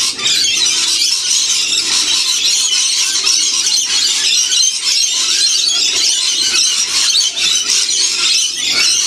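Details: A large wild lorikeet flock at a winter feeding spot in Australia's Blue Mountains region; constant grating, high-pitched screeching from many birds at once, dense and unrelenting.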